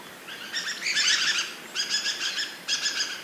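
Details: Large flock of dusky thrushes flying around after arriving in numbers; three bursts of harsh, chattering calls with stacked harmonics, each lasting about half a second to a second, separated by short pauses, over faint background hiss.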